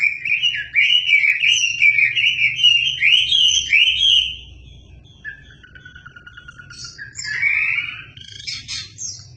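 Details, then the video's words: Wambi singing, used to tutor shamas: a loud undulating warbled whistle for four seconds, a quiet pause with a thin steady tone, then sharp bright high phrases. "Super gacor burung wambi , masterin murai cocok nih"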